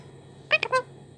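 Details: Pet male Indian ringneck parakeet chattering to himself in three quick, speech-like syllables, bright and nasal with a slight rise, over faint room hum, as a person talks to him.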